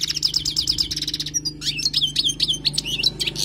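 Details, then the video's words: Wild goldfinch tutoring song: a quick, evenly repeated series of bright chirps, then a tumbling run of varied twittering notes and sweet slurred whistles, loud and close. "تغريد حسون خلوي للتعليم"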